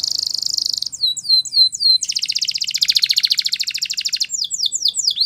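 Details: A canary sings training song: a quick buzzy trill, four swooping downward whistles, a long rolling rattle of fast pulses, then more descending swoops.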